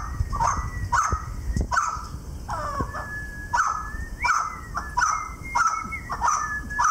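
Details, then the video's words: Pet male Mountain Quail, an older adolescent, excited after grabbing a piece of painter's tape, calling at dawn: short clucking notes with sliding tones near the same pitch, repeated roughly every half second to second, over low rumbling background noise. "Sweet dawn chorus of Mountain Quail"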